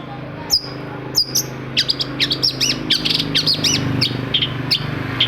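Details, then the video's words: Long-tailed shrike song used to make other shrikes sing: a couple of high thin whistles, then a rapid series of sharp looping whistled notes over a noticeable low background rumble. "CENDET MACET SUSAH BUNYI PASTI NYAUT KETIKA MENDENGAR TOETAN BURUNG CENDET INI"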